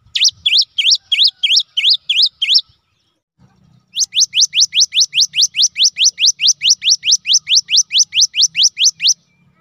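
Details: Cinereous tit of the wingko type in full gacor song for lure use: a first run of wavering looped whistles, a pause, then a long fast train of over twenty sharp upswept notes delivered at an even, insistent pace.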